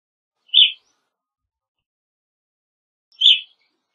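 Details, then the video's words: Evening grosbeak uttering two brief, loud, buzzy chirps nearly three seconds apart, with silence between. "Evening Grosbeak Singing, Grosbeak Calling - Pepitero Norteño Canto"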